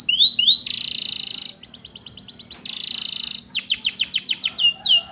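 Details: Training song of a canary with ciblek and prenjak insertions for caged birds: buzzy trill blocks alternate with runs of fast falling whistles, opening and closing on looping slurred notes.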